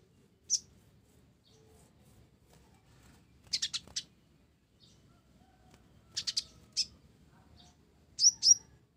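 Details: Actively singing blorok olive-backed sunbird with sparrow-style fill: scattered single chirps and quick runs of three or four high notes, ending in a doubled sweeping chirp, over near silence.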